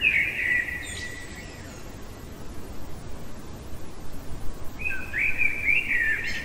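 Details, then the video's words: Common blackbird singing at night: a fluty whistled phrase trailing off into a thin high note, a quiet gap of low rumble, then a second warbling phrase with rising twitters. "Merle chantant au cœur de la nuit"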